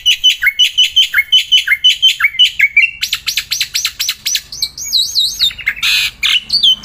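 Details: Black-winged myna kept in a cage, singing nonstop outdoors while handled; repeated whistled notes give way to fast rattling phrases, wavering warbled whistles and a short harsh burst.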